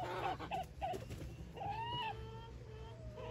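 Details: Mini Serama rooster courting his hen on a small farm, giving quiet, soft, clucking notes, then a longer drawn-out tonal call that rises slightly and fades, followed by faint low murmurs.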